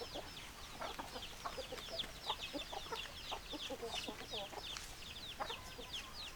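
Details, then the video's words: Chickens on a farm: a dense flock chatter of many short, high, downward-sweeping chirps overlapping continuously, with softer low clucks underneath and no clear crow. "Chicken Sounds Noises Hens Clucking Roosters Crowing"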